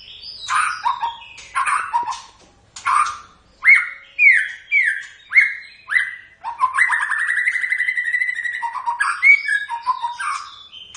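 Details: White-rumped shama delivering loud whistled phrases, a run of about six ringing downslurred notes repeated every half second, then a long rapid warbling trill and more whistles.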